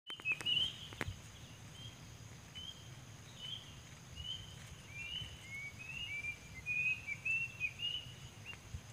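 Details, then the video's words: Plaintive cuckoo in the wild, its call used as a lure: a series of about ten short whistled notes, some sliding downward, spread over nine seconds above a steady low rumbling background. "suara asli burung kedasi alam liar bagus buat pancing / piakatan burung kedasi"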